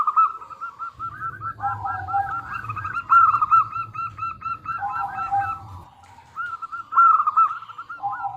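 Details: Local zebra dove used as a calling lure for other doves: continuous ringing cooing made of rapid looping notes, with a brief quiet gap before more bright phrases.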